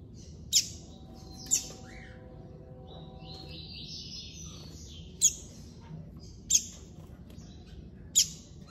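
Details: Double-collared seedeater held by a hobby breeder, classic-style song: a brief run of high, slightly buzzy whistled notes mid-clip, with five loud sharp clicks spread through the recording and a constant low background hum.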